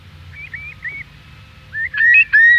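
Eurasian curlew: a few short, slurred whistles, then rising, swelling whistled notes that build toward the bubbling song, over a faint low rumble.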